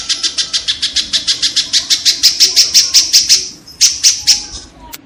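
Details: Loud kingfisher chatter: a steady string of rasping, buzzy notes about four per second. It builds slightly, breaks briefly, then ends in a few final notes. Used as song-tutoring material for competition birds.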